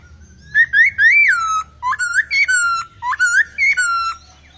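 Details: Laughingthrush singing varied fill-in phrases: loud, rich whistles in three groups, each mixing short upslurs with longer level and falling notes, separated by brief gaps.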